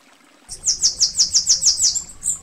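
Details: High, tinkling song of a Bananaquit (Coereba flaveola), or sibite, from Brazil: eight evenly spaced, sharp downslurred notes delivered rapidly, closed by a brief separate high note.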